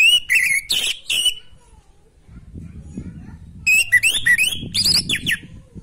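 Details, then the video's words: Orange-headed thrush in full natural song, used to rouse breeding drive in another bird: a burst of rich whistled, slurred phrases, then a quiet gap with low murmuring background noise, then another rapid run of varied warbling notes. "Anis macet kurang birahi auto respon pakai suara video ini"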